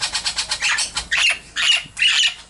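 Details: Baby Princess parrots, captive chicks in a cage, December 17, 2017: harsh, grating squawks, a rapid pulsed series first, then three longer raspy bursts rising and falling.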